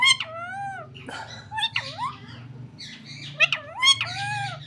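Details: Pet parrot talking indoors: a run of harmonic, speech-like phrases with gliding, bending tones and squeaky inflections, short syllables repeated about twice a second, over a steady low hum.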